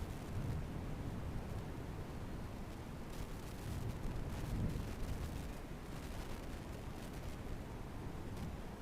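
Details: Low, rough rumbling with occasional soft crackles, like wind buffeting a microphone, and no animal voice heard.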